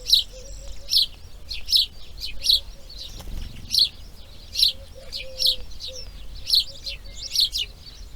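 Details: Breeding grey herons at the nest, day two: rapid, harsh clicking chirps about seventy a minute, irregularly spaced, with a faint low tone and a brief soft rustle midway.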